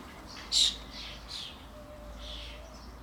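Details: Starling adults and newly fledged young crowding a garden suet feeder: one loud, grating screech followed by softer, wheezy rasping calls, with a faint low hum underneath.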